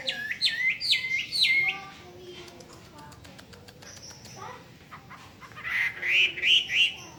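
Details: ['Hwamei delivering a run of three loud down-slurred whistled notes, then a quieter pause with scattered ticks, before closing with a series of rising, looping whistles.']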